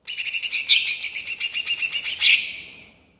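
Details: Rolling-style song of a greater green leafbird, meant to stir other birds into answering: a fast, high, trilled rattle of about five notes per second, sustained for over two seconds before fading out.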